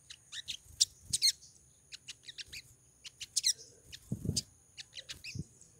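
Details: Female crimson sunbird (sogon) in breeding condition calling to attract a male: bursts of thin, very high chirps and sharp ticking notes, some in quick pairs, separated by short pauses, with a few low dull thumps.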